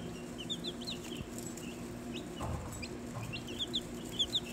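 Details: A brood of Australorp and Olive Egger chicks one day after hatching in November peeps in short, high, slightly falling notes, several birds calling irregularly, with a soft thump and low hum beneath.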